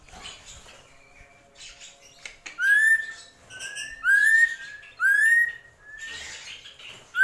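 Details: Srigunting krantil, a drongo, in gentolang-style song: after soft scratchy notes, clear rising whistles with bright overtones repeat about once a second, each slurring upward and ending sharply.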